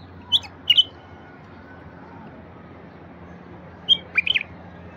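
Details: Bulbul song from the wild, aimed at starting silent wild bulbuls singing: a short pair of bright chirps, a pause of several seconds, then a quick warbled phrase of rapid notes.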